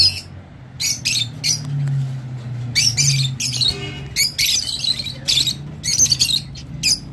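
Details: Rosy-faced lovebird song, offered as a sound to encourage mating: bursts of harsh, squeaky chattering notes in quick groups with short pauses, over a steady low hum.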